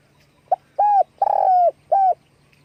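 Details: Spotted dove calling while flapping its wings: a short clipped note, then three mellow level coos, the middle one drawn out longest, over a faint low hum.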